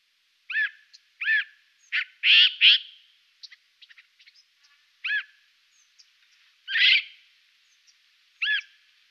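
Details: Siberian jay (Perisoreus infaustus) in Norway giving mewing, down-slurred calls mixed with short harsh, rasping bursts at irregular intervals; a few faint soft notes between, otherwise quiet.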